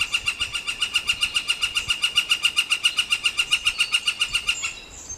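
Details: Northern flicker pair: a long, machine-like run of about forty identical loud, nasal, harmonic notes delivered at a steady rapid pace for four and a half seconds, then stopping abruptly, leaving a brief quiet, faint high chirp.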